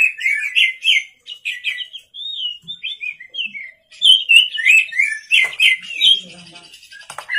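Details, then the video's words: An Oriental magpie-robin (kacer) in full voice at night, sung as a lure: quick rippling whistles and twittering notes in rapid bursts, a short pause, then louder fluty phrases and scratchy trills fading at the end. "pancingan kacer gacor malam hari"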